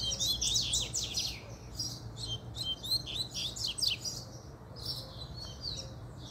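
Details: Double-collared seedeater in fiery form, puxada song: fast tumbling phrases of high buzzy notes and steep down-slurs come in three loud bursts with brief pauses, set against a faint low hum.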